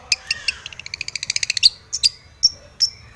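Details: Long-tailed shrike in aggressive song aimed at a rival: a rapid series of bright, high ticking notes, then several isolated sharp, whistled squeaks.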